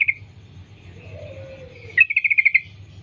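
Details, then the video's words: Wild sooty-headed bulbul; a lure recording in the sambung ropel style meant to prompt other bulbuls to sing. One short chirp, a faint lower drawn-out note, then a quick, evenly spaced burst of about eight bright notes. "Trucukan gacor Sambung ropel nguplik alam liar | pancingan trucukan agar bunyi gacor"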